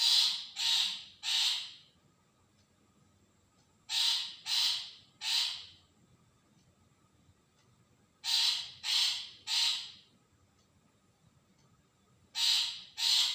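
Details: Long-tailed shrike calling, a recording meant as a lure to draw a response: grating, buzzy squawks in bursts of three, each burst roughly four seconds apart, with near silence between bursts.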